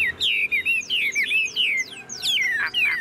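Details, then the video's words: Caged Chinese hwamei in full song with its tail spread, delivering a run of clear descending whistled slurs, each phrase sweeping downward, in quick succession. "Họa mi thuần sách lồng hót, đuôi xòe, ngũ trường hót cao cầu"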